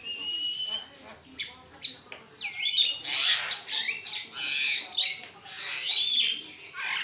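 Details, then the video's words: Javan myna (jalak kebo) singing nonstop, used as a master recording to prompt other mynas to sing; harsh squawks, rasping bursts and upslurred whistles in dense broadband phrases. "jalak kebo ngoceh tanpa henti, buat masteran dan pancing bunyi"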